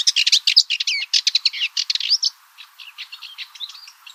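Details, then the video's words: Rapid, scratchy Cyprus Warbler chatter with a few thin whistled notes, loud for two seconds and then tailing off into a quieter, looser series of notes. "Cyprus Warbler - Songs"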